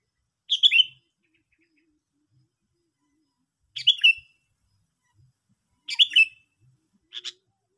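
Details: Repeated bright, bubbly chirps from a Sooty-headed bulbul, three fuller phrases followed by a brief single note, spaced a few seconds apart with faint low clicks in the background.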